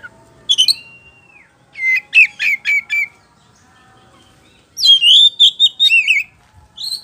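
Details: White-rumped shama song used as a lure to make birds answer: loud varied phrases of whistles, sharp chirps and rapid rising and falling trills, with brief pauses between bursts.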